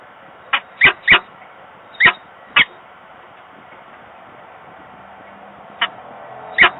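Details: Pair of peregrine falcons meeting at a distance at a nest box in Włocławek, Poland, 15 November 2022, one on the grille and one inside: scattered sharp, harsh single and paired notes separated by pauses, with steady webcam hiss.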